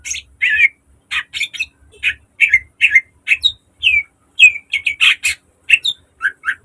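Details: Lively mimicking song of a caged green leafbird, played to lure and teach other birds: quick sequence of sharp chirps, slurred whistles and downward-sweeping notes, fast and nearly continuous.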